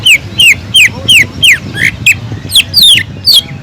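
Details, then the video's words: Greater green leafbird with imitated kingfisher notes: a steady series of loud whistles, each sliding sharply downward, about three per second, some later notes higher and longer. "PANCINGAN CUCAK IJO GACOR ISIAN ISTIMEWAH TENGKEK UDANG"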